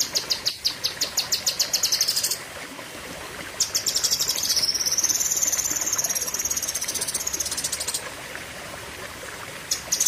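A very high, rapid series of sharp chips gives way to a long, shrill, buzzy warble that rises and falls over several seconds, with a faint hiss behind.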